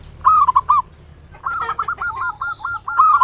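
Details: Zebra dove, local type, ngayer nulop lure song: one short stuttered coo phrase, then after a pause a long even run of about eight repeated rolling coo notes.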